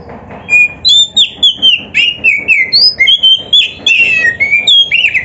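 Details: Caged oriental magpie-robin in full, dense song packed with filler phrases: bright whistles and slurred notes in rapid, slightly irregular succession, some sweeping high and sharp.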